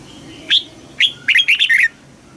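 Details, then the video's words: Red-whiskered bulbul in contest singing, a recording meant to train birds toward mature double-note song: two lone bright whistled notes, then a fast burst of five or six clear, warbling notes. "Chào mào hót đấu Luyện giọng cho chào mào hót sáng, ép chào mào hót âm kép già rừng hay tuyệt!"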